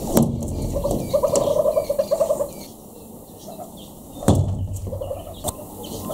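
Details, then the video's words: Morning hornbill calls in South Africa, October 2015, loud enough to get people out of bed: a rapid run of pulsed, clucking notes that speeds up for about a second and a half, then a pause and a shorter second burst. "Hornbills - the perfect alarm clock"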